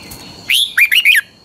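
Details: Caged red-whiskered bulbul of the Pa La-u line from Thailand singing a short 'double' (phlengboen) song phrase: a rising whistle followed by three quick, bright, warbled notes in under a second, clear over faint background hiss.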